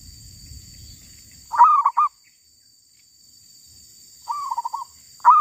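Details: Female zebra dove caught wild sings a punchy stuttered coo, falls silent, then gives a quieter rippling trill before starting the loud phrase again; faint rumble at the start.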